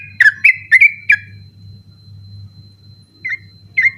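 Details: Sooty-headed bulbul singing persistently at night, used as a training recording for contest birds: a few loud whistled notes around two kilohertz in a quick burst, then two more after a pause, over a steady low hum.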